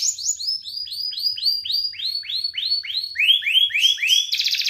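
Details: Belgian canary song, used to warm up Belgian canaries and stimulate females: a rapid run of repeated arched, slurred whistles, about four per second, high-pitched, ending in a fast buzzy trill.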